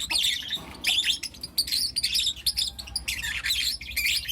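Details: Four young lutino lovebirds chirping in the morning: bursts of harsh, scratchy high chirps in quick clusters, broken by short pauses, with a faint low hum underneath.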